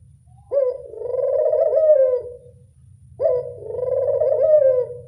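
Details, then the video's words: Collared dove that answers readily, heard in two sustained purring coos of around two seconds each, sharp start and trailing end, about two and a half seconds apart over faint low background noise. "Suara burung puter gampang nyaut"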